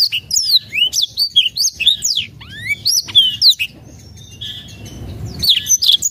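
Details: Lure song of a Black-throated canary meant to set silent birds singing, a quick run of high, sharply slurred whistles and chirps, then a softer, thinner stretch before loud sweeping notes return at the end.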